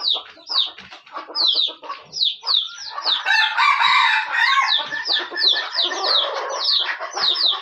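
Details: Decoy junglefowl from Aceh crows harshly midway, amid a continuous stream of sharp, high, descending chirps and short clucking notes.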